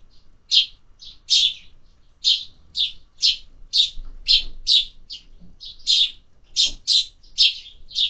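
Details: Sparrows at a feeder in summer, giving a steady stream of short, high chirps, roughly two every second, with faint low background rumble.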